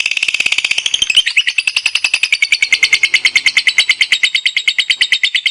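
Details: Competition lovebird in full ngekek: a rapid, raspy chatter that opens busy and high, then settles into a steady, evenly pulsed trill of about three notes a second.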